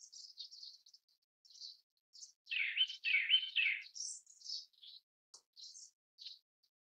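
Grey-backed Thrush giving thin, high chirps, broken by a run of louder, harsh chattering notes in the middle, then more scattered high squeaks.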